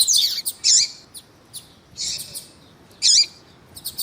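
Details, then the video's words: Male double-collared seedeater singing the tui tui style as a female calls, caged; four loud high warbling bursts spaced about a second apart, with faint chips between. "ESQUENTAR COLEIRO TUÍ TUÍ COM COLEIRO TUÍ TUÍ E FÊMEA DE COLEIRO CHAMANDO PARA ESQUENTAR COLEIRO"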